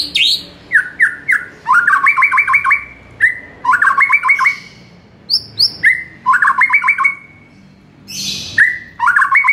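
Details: Energetic morning song of a White-rumped shama for training caged birds: short whistles and high upswept notes, each followed by a chattering trill burst, repeated roughly every two seconds.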